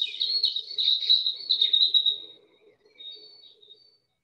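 European Robin song: a rapid, thin, high warbling phrase of twittering notes that trails off and falls away at the end, with a low murmur beneath.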